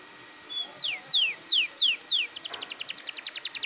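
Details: Forceful canary song used to draw young birds into singing: four clear long downward-gliding whistles, followed by a quick buzzing trill of repeated short notes.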